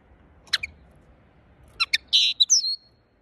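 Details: Short linnet phrase: a couple of sharp chirps, then a fast twitter running into a buzzy warble and a falling whistled note.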